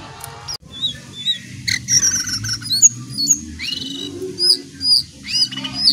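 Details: Lesser shortwing song: after a brief gap, high thin whistles and curved slurred notes repeat roughly twice a second, with short rising phrases, over faint low rumbling noise.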